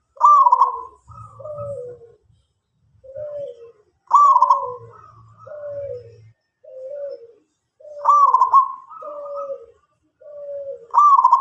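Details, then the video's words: Local zebra dove (perkutut) cooing often: each phrase opens with a loud burry coo, followed by several softer lower falling coos, repeating about every four seconds, with a faint low hum. "perkutut lokal gacor"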